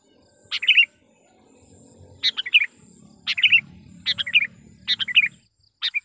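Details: Sooty-headed bulbul lure call, meant to provoke wild bulbuls, heard as repeated short bubbly phrases, each a sharp high note followed by a quick liquid warble, six bursts over a low background hum.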